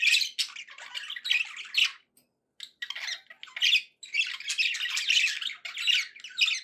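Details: Pet budgies in happy mood chatter with busy squawks and rapid scratchy warbles, pausing briefly before resuming in a long dense run of calls.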